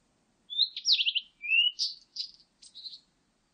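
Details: Blue-and-white flycatcher song recorded in 2020: a thin rising whistle into a fast descending trill, a long smooth upslurred note, then several short buzzy notes evenly spaced, in otherwise silent surroundings.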